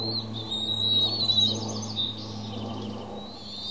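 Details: Two Bald Eagle eaglets at Pelican Harbor on Santa Cruz Island calling at feeding time; high squealing whistles with fast stuttering chip notes, over a constant low hum.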